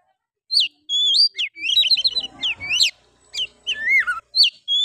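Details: Oriental magpie-robin in full 'gacor' song, a rough 'nembak' style meant to provoke other males: clear high whistled notes, bending slurs and quick twittering runs, delivered in steady bursts with short pauses, faint low rumble behind.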